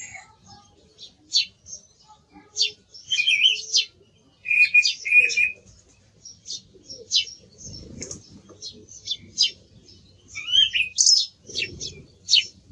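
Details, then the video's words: Song thrush delivering separate sharp high notes between whistled, fluty phrases that dip and rise, with short quiet gaps and faint low rumbling in the background. "Sonido del Zorzal Comun"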